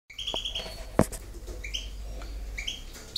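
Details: European goldfinch singing in the campero style: short, clear whistled notes in brief bursts, some rising, with gaps between phrases, over a steady low hum and one sharp thump near the first second.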